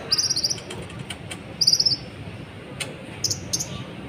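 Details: Sunbird song used to excite other birds into calling: short, very high, buzzy trilled bursts repeated every second or so, interspersed with faint clicks and brief sharp notes.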